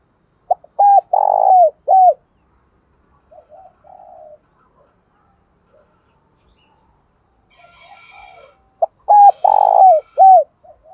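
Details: Spotted dove decoy calls used to spur captive doves into calling: a phrase of clipped coos ending in drooping notes, a soft lone coo, faint chirps, then the full phrase repeated.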